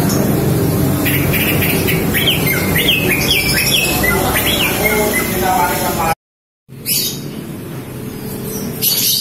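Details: Female green leafbird calling to attract males, giving a fast series of quick, slurred whistled notes rising and falling over steady low background noise, broken by a sudden short silence, then only faint high hiss and scattered sounds.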